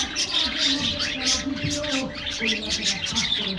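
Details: Caged budgerigars in an aviary, given a morning diet treat, chatter in a dense flock: rapid high chirps and warbles overlap continuously, over a steady low droning hum with lower wavering tonal notes from other aviary birds.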